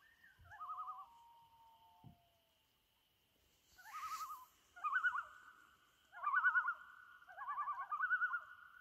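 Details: Loons at sunset on Trout Lake, May 2019: wavering tremolo calls with a falling whistled note, a pause, then rising chorus of overlapping quavering bursts from several birds, one brief hiss.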